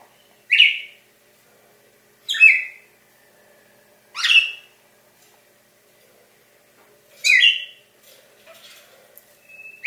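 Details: A caged Brazilian cardinal, a male raised by a breeder and then about sixteen years old, singing on Christmas morning, December 25, 2016: four loud, bright, slurred whistled phrases, roughly two seconds apart, in a quiet room.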